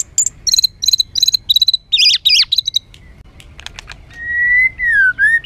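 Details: Kept white-rumped shama in a harsh, agitated song used to stir other birds: quick repeated chirping notes, sweeping warbled phrases, scattered clicks, then a long level whistle wavering downward.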